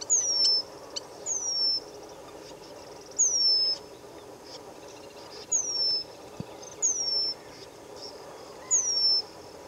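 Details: Eurasian penduline tit (Remiz pendulinus) calling in Israel in December 2023: six thin, very high, drawn-out descending whistles, one every one to two seconds, over a faint background hiss.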